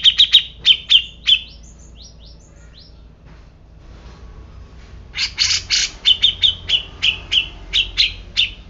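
Grey-cheeked bulbul giving sharp, high chirped notes, several a second, in two lively bursts separated by a brief quiet pause.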